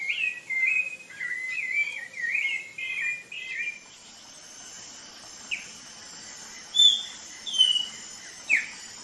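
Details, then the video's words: Song of the Brazilian rufous-bellied thrush: a string of warbled, slurred whistles in the first four seconds, then scattered single sharp notes over a constant high insect drone. "Canto do Sabiá Laranjeira"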